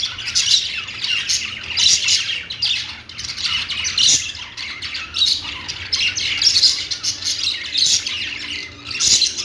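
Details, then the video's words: Perched budgerigars give a lively mix of scratchy squawks and quick chirps in repeated bursts, several birds calling together, with a faint low hum. "budgies singing on perch | parakeet chirping sounds"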